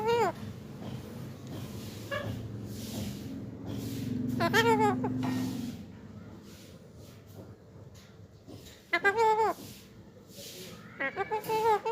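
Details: Hungry green parakeets in Pakistan calling in short loud bursts of harsh, wavering, strongly harmonic squawks near 4.5, 9 and 11 seconds, separated by quieter stretches with a low rumbling hum and faint background chatter.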